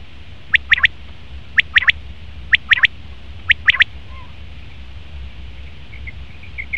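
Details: Male common quail: four evenly spaced phrases of three sharp, rapid notes, about one phrase per second, then quiet with faint soft notes at the end.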